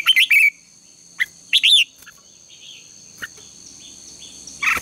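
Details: Red-whiskered bulbul singing at morning for contest practice: a quick twittering burst, then rising slurred whistles and a final warble after a pause, with a thin continuous hum.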